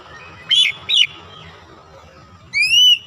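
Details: Oriental magpie-robin, a caged bird, gives two rough whistled notes, a pause, then one long rising and level pure whistle, with faint low background hum.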